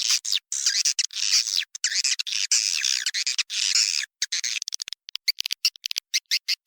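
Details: Swiftlet lure call recorded from a successful swiftlet house: dense high buzzy chattering twitters in continuous bursts, broken by abrupt gaps, then choppy cut-up fragments.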